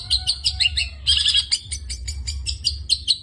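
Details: Long-tailed shrike in full song, a dense run of sharp chattering notes and scratchy trills, then rapid repeated short chirps, with a low steady hum underneath.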